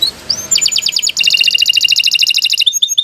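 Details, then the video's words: Canary long song for training other birds: a couple of rising whistles, then a fast, steady trill of repeated notes, closing with sharp descending chips. "Kicau Burung Kenari 135 II LUAR BIASA GACOR PANJANG Cocok untuk Masteran"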